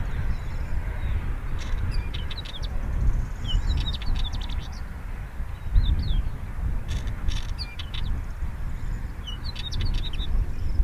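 Northern Wheatear giving short, hard clicking notes mixed with brief high whistles every few seconds, over a steady low rumble of wind.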